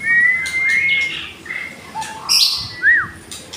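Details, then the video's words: White-rumped shama from Indonesia giving a long clear level whistle, then softer slurred notes, a bright high burst and a quick rising-falling whistle. "Murai Batu seri F kena tembakan Murai Asli hutan...."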